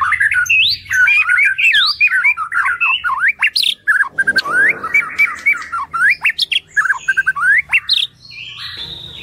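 A White-rumped Shama sings a rich, rapid stream of varied whistles, slurs and harsh chattering notes, with phrases rising and falling without pause.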